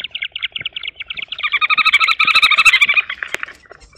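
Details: A Green wood hoopoe, perhaps the father male, sits outside the nest box and gives a harsh, rapid chattering alarm as people approach to ring its chicks, speeding into a loud cackling burst of repeated notes, then fading.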